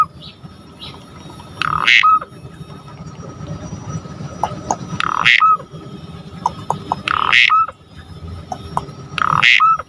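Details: Asian pied starling in gacor provoking song for other starlings: loud harsh rasping bursts, each with a short whistled note, repeated about every two to three seconds over a steady low hum.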